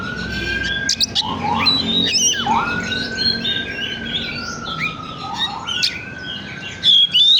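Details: Oriental magpie-robin song played as a lure to stimulate other birds: long level whistles with upward-swept starts, mixed with scratchy chatter and sharp clicks.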